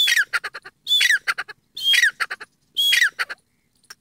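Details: Wild partridge in India, calling loudly: phrases come about once a second, each opening with a high whistled note that slides downward, then a quick run of harsh, clipped notes. The pattern repeats four times, with clear gaps between phrases.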